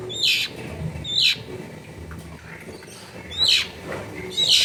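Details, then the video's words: Long-tailed shrike in a densely populated residential area giving four harsh, scratchy chirps about a second apart, each a short noisy burst, over a steady low background hum. "TERBUKTI TERAPI CENDET MALAS BUNYI LANGSUNG NYAUT"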